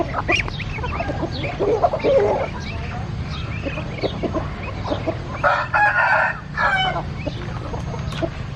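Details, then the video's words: Chicken with a strong, drawn-out harmonic crow in the second half, preceded by scattered clucks and short calls from a busy flock, over a low hum. "The sound of chickens"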